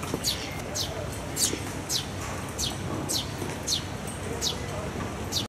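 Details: A Eurasian tree sparrow chick begging its parent for food in spring, Tokyo, May 2016, gives thin, high, down-slurred chirps roughly every half second over a steady low rumble of traffic or wind.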